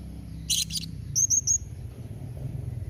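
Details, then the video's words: Calling combination of a blue-crowned hanging parrot, styled 'memanggil nembak mbeset', intended to set other hanging parrots answering: a pair of harsh, buzzy high bursts followed by three thin, clear whistled notes. "Kombinasi Suara SERINDIT MEMANGGIL NEMBAK Mbeset Seperti ni Jadikan Srindit Anda Nyaut Tambah GACOR"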